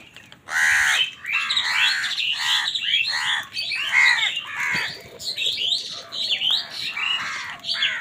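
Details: Morning scramble for food as many crows clash with wild birds. Dense, overlapping harsh squawks and caws crowd together almost without pause, loud and chaotic.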